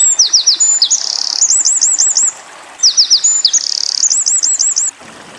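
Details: Two near-identical bursts of Eurasian wren song, used as a tutor track for young white-eyes, each a quick scatter of high notes leading into a run of bright looping trills, about two and a half seconds apart.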